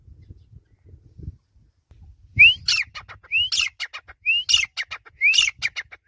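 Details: Grey francolin, known locally as teetar, gives four loud repeated phrases about a second apart after a quiet start. Each opens with an upslurred whistle and breaks into rapid harsh, ringing notes.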